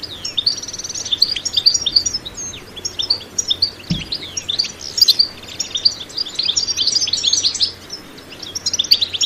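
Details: A European goldfinch gives an energetic batbata twittering song, unedited by sound effects: a jumble of high chirps, slurred whistles and buzzy trills in uneven bursts, with one dull knock around four seconds.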